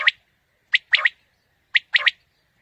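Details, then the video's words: Quail lure call for morning hunting: three clear phrases, each a single bright note followed by a quick double note, spaced about a second apart. "Quail Calling 2020 | Batair Ki Awaz suba ki shikar Ki liye"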